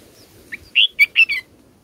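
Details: Bulbul chicks in a nest being fed grape and banana by their mother give four loud, clipped, slightly buzzy chirps in quick succession, preceded by one faint note, over a quiet background.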